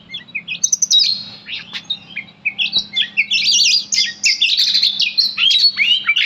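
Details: Oriental magpie-robin reacting angrily to its name with harsh, squawky notes mixed into rising whistles and dense, buzzy phrases building in intensity, over a steady low hum.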